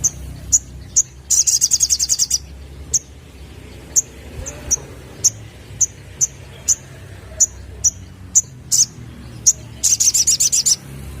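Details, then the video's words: Sunbird called sogon, sound used as a lure for young birds: sharp, very high chips repeated about every half second, broken by two fast buzzy trills, over a low background hum. "Burung Sogon Muda Bakalan Langsung Nyaut Denger Suara Pancingan ini"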